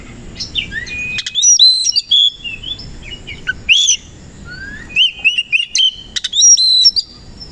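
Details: Oriental magpie-robin of the kacer koci type, singing in the morning with tail spread: fast, varied phrases of looping high whistles, sharp chips and upward slurs, loud and jumbled, pausing briefly between outbursts.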